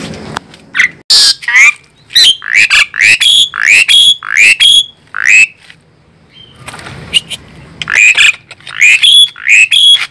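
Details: Asian pied starling, described as fierce, in a loud, dense song of harsh rasping bursts mixed with clear whistled notes, delivered in quick irregular runs with a short pause midway.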